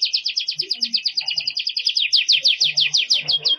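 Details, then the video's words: Belgian canary singing a fast, continuous run of bright, high trills, about three notes a second, with a faint low background murmur; recording used as song training for other canaries. "BURUNG KENARI GACOR CENGKOK MEWAH JERNIH"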